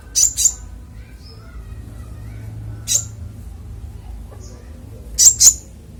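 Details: Konin singing clearly as songbird training master: high sharp double chirps, a single chirp midway, then another double chirp, with faint low hum beneath.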